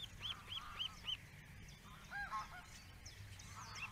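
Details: Attentive male osprey at its nest on a webcam: four arched, whistled notes in quick succession, then a few lower, softer notes, with a steady low rumble underneath.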